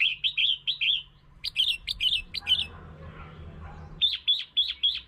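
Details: Lure song of a red-whiskered bulbul meant to provoke birds: runs of rapid, lilting chirped notes in repeated phrases, a brief murmur of low background noise in the middle, then more quick warbled notes.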